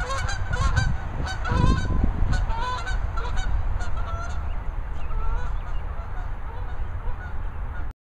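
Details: Two geese calling in a series of short nasal honks, bunched in the first half and then sparser, over steady low rumbling background noise.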